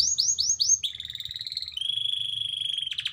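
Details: Canary singing a black-throat and prinia mix: four quick descending whistled swoops, then a smooth held note breaking into a long steady rattling trill, ending in a burst of sharp chips.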